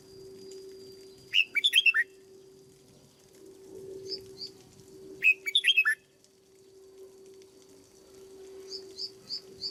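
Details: Caged red-whiskered bulbul, a decoy bird being trained to sing at its peak, gives two quick descending warbled phrases about four seconds apart; faint thin high chips follow near the end, with a low background hum.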